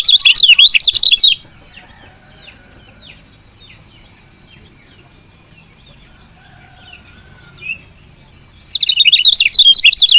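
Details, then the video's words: Female lemon-bellied white-eye giving chirps meant to get males singing: bursts of fast, high, warbling chirps open and close the recording, with a long quiet stretch of faint distant notes between them. "CIAK KECIAL KUNING BETINA"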